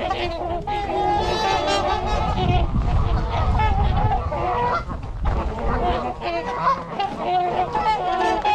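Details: A winter flock of 42 trumpeter swans, 26 adults and 16 juveniles, at Gallup Park in Ann Arbor, Michigan, 8 January 2022, GoPro recording: loud, resonant trumpeting honks from many birds overlapping continuously, with some low rumble.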